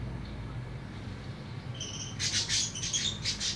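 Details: Tame budgerigar in the afternoon, starting with a quiet steady whistle-like tone, then breaking into loud, rapid, scratchy high chirps for the final second and a half.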